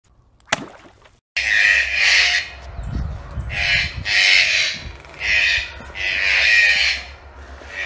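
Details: Red-breasted toucans (Ramphastos dicolorus), kept as pets, give harsh, raspy "grreekk" croaking bursts, each under a second, repeated irregularly with short pauses, after a single sharp knock.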